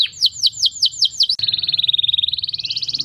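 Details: Canary, called a hippie canary, singing loudly to stimulate mating: six rapid downward-swept whistled notes, then a fast, even, buzzy trill running on and rising slightly at the end, with faint low background hum.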